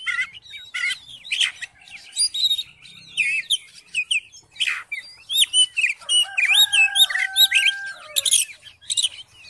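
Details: Oriental magpie-robin in full song to spur another magpie-robin into singing: crisp chirps and harsh rasps, then wavering whistled phrases and a sustained nasal tone in the second half.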